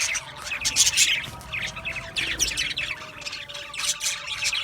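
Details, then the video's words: Budgerigars chatter in a busy flock: rapid high chirps, squeaky squawks and buzzy warbling come in bursts, with brief lulls between louder outbursts and a faint low hum underneath. "Cute Budgies chirping Sounds | Budgies relaxing Sounds | Budgies parrots Sounds"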